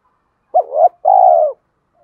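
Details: Spotted dove lure call meant to attract wild doves: a clipped rising coo flowing into a wavering note, then one long, even, purring coo that slowly falls away, with silence around it.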